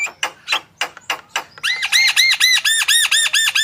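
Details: Javan myna in lively full song, used to prompt other birds to sing, with harsh scratchy notes followed by a rapid run of repeated arched whistled phrases, about four per second.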